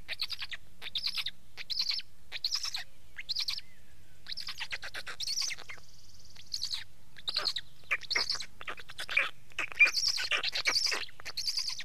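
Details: Black stork calls: spaced hoarse rasps at first, a brief lull, then a denser run of harsh wheezy bursts toward the end.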